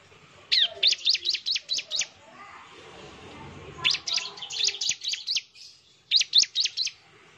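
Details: Bar-winged prinia singing as a lure sound meant to make other prinias answer: three bursts of quick, high, descending chirps, six to eight notes each, separated by brief gaps with faint background rustle.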